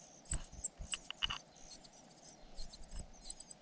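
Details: Cuckoo chick tended by foster parents gives thin, very high, short squeaky notes in quick irregular bursts, with soft clicks and low thumps underneath.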